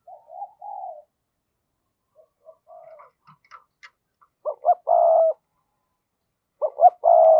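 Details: Spotted dove kept as a decoy to provoke wild doves, giving soft low coos, then a few faint notes, then two bursts of a stuttering short double note leading into a longer, louder coo.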